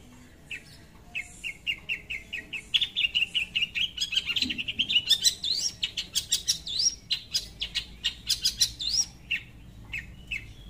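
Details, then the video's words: Long-tailed shrike singing to lure a rival: starts with evenly spaced short chirps, builds into a fast, dense chattering stream of sharp notes and rising whistles, then slows back to scattered chips. "PANCINGAN SUARA CENDET GACOR MEMANGGIL LAWAN"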